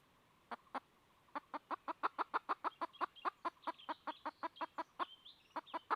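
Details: Clucks of a red junglefowl hen looking for a rooster, beginning with two isolated notes and then running into a fast, steady series. Thin distant bird chirps are audible behind them.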